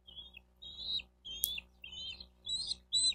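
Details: Bald eagles at their Miami-Dade County, Florida nest, caught on a nest camera on 4 June 2023 near 12:35; shrill, high piping notes come in short clustered phrases, some slurred, over a low steady hum.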